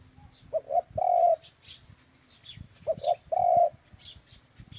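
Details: A dove gives two phrases of low cooing, each of two quick short notes then a sustained mellow coo, while faint high twitters of other birds sound in the background.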